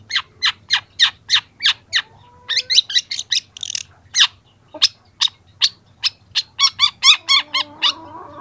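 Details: Young long-tailed shrike, recorded as a training recording: an even series of sharp, clipped notes roughly three per second, broken by varied scratchy phrases and a brief thin whistle, ending in rapid chatter.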